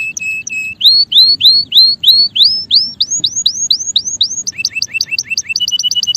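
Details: Male canary song opens with a flat whistled trill, then a long string of upward-curving whistles repeated about three times a second, ending in quicker paired chirps that speed up.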